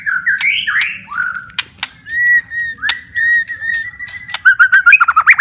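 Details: Song of a white-rumped shama used as therapy for lazy, stressed birds: rich looping whistles, then a long level whistled phrase with clicks, ending in a quick run of bright repeated notes.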